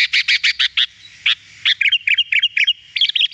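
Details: Sooty-headed bulbul on a lure recording used to attract wild bulbuls: a quick run of six clipped, bright chirps, then lively bubbling phrases of liquid notes, all fairly high-pitched, with nothing else heard.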